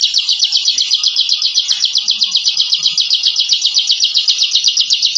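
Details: Captive bar-winged prinia (ciblek) delivering its intimidating rapid ngebren song: an unbroken, steady, high-pitched buzzing trill of evenly repeated notes, nearly four per second.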